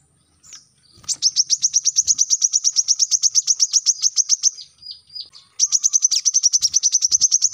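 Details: High, rapid sunbird trill, a brown-throated sunbird recorded as a training song for captive birds, delivered in a long run of sharp repeated notes, a short thin break, then another fast burst.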